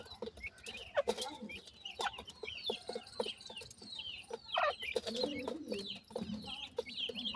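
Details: Grey francolin chicks feeding with their family: overlapping high thin chirps and squeaky peeps in quick succession, punctuated by sharp clicks, with a short lower rough note near the middle.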